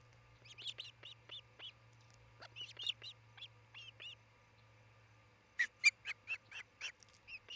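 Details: Osprey nest in Charlo, Montana, filmed by a camera on June 27, 2018, near noon: a fast series of high, whistled chirping notes, briefly pausing, then louder sharper chirps resume rapidly, with a low steady hum underneath.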